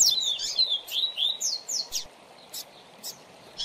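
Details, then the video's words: Double-collared seedeater tutor song for young birds: a brisk series of clear, high, down-slurred whistles and chirps, about five per second, tapering into scattered single notes. "Manejo de Fibra do Seu Coleiro ou Papacapim"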